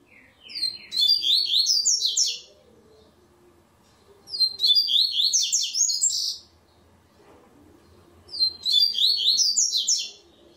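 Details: Tournament coleiro, a double-collared seedeater, repeats its bright, fast, chattering high phrase three times, each close to two seconds long and about four seconds apart, over a soft low hum.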